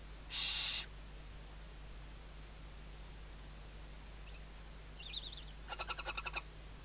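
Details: At a Western barn owl nest in Riet Vell, Ebro Delta, Tarragona, Spain, 2023 season, chicks sheltering under the mother's wings: one loud breathy hiss, a pause, then faint squeaks and a short burst of quick chittering pulses.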